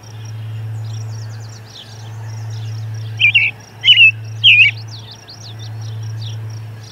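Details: Robin singing near an osprey nest at Charlo on 10 June 2020 just before noon, as an osprey returns; three quick caroling phrases in a row, each a brief rising-falling warble, with faint high twittering and a constant low hum.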